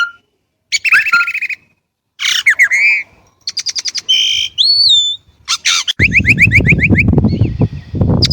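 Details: Chinese blackbird delivering a varied medley of whistles, rapid chatters, buzzy trills and clear upslurred notes in quick succession, with a low rumbling background in the later part.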